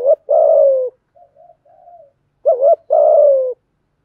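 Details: Spotted dove pair cooing to draw other doves into calling: a long, hollow, falling coo, quiet low murmurs, then a short bumpy note and a second drawn-out descending coo.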